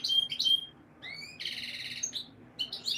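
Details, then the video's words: Singing canary for breeding stimulation of hens: bright, clipped whistles and rising slurs, a brief buzzy rattling tour, then more short upswept notes. "Canary Breeding Conditioning Audio — Boost Your Female’s Mating Instincts"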